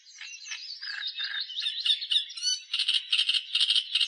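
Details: Natural song of an Australian reed warbler: harsh, grating phrases and a few sliding whistles, then a fast series of loud rasping, churring notes repeated several times a second.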